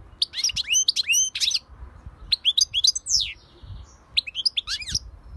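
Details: Lively European goldfinch song in three tumbling bursts of high, sliding, twittering notes. Rapid chirps mix with downward swoops and a brief buzzy note in the middle burst.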